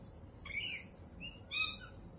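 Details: Lorikeets, still jittery after a Peregrine Falcon attack earlier this week, give three quiet, high, ringing calls, each short with layered overtones, spaced about half a second to a second apart.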